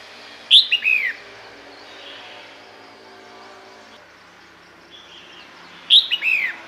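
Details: Female red-whiskered bulbul, calling to bring males near, gives two phrases about five seconds apart, each a sharp note then falling slurred whistles, over a steady background hiss.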